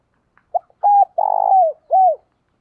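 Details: Decoy spotted dove giving 'thúc' and 'gáy gọi' coos. After a few soft clicks, a short low coo leads into a long, pulsing, buzzy note that slides downward. A separate rounded falling coo closes the phrase.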